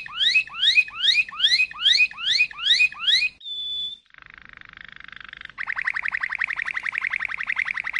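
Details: Malinois canary delivering a regular series of rising swooped whistles, a short pure held whistle, a quiet soft roll, then a long fast rolling trill to the close.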